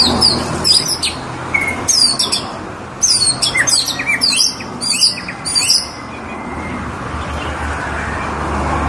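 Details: Tame white-rumped shama sings clusters of sharp, high, quick-fire notes and short whistles for about six seconds, then falls silent as steady background hiss continues.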